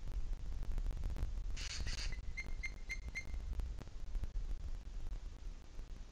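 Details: Booted eagle calling in the Sierra de Guadarrama on 2 July 2021 at 17:53, a brief run of about four clear, high whistled notes, roughly four per second, after a short rustling burst, over constant low wind rumble.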